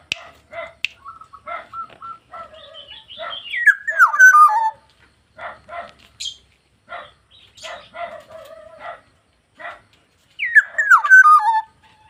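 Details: Black-naped oriole, caged, in full song. Harsh, nasal notes repeat roughly every half second, broken by two loud, liquid whistled phrases that tumble downward in pitch. A few sharp clicks can also be heard.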